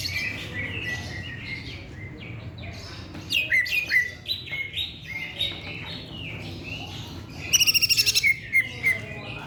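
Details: Greater green leafbird song: scattered sharp whistled chirps and slurred downward notes, building to a fast trill of repeated ticks near the end followed by bright chips; faint low hum behind.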